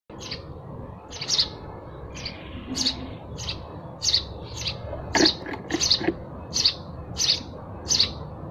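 Sparrows give short, bright chirps, one roughly every half second to second, slightly irregular, over a soft steady background hum.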